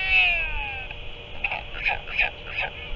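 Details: Northern royal albatross at the nest as an adult returns and feeds its chick octopus: a long, harmonic-rich wail sliding slowly downward, followed by a string of short, nasal squeaky notes repeated roughly every third of a second.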